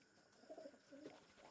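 A pigeon gives two soft, low coos, each a brief throaty note with a slight waver.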